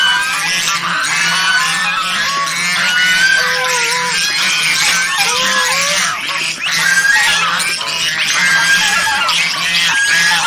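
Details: A flock of domestic swan geese (Anser cygnoides) keeps up a loud, dense din of overlapping harsh honks and cackles, with a few clearer rising and falling notes among them.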